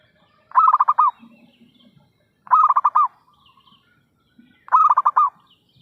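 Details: Zebra dove calling actively, used as a lure for trapping: three stuttering, pulsed coo phrases, repeated roughly every two seconds, with faint low rumbling between them.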